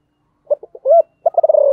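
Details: Low mellow coos from a sấm thổ spotted dove calling and urging: three short quiet notes and an arched hoot, then a quick rattled series of pulses running into a long, slowly falling coo, cut off at the end.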